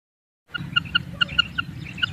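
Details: Female common quail giving its kirak raising call: after half a second of silence, short clipped two-tone notes repeat quickly and unevenly, about five per second, over a steady low rumbling background hum.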